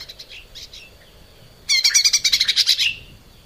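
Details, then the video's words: Cucak ijo mini (lesser green leafbird) in masteran song for cage birds: faint soft chips, then a loud second-long run of rapid, high, rattling trilled notes that fade out. "kicau cucak ijo mini gacor buat masteran"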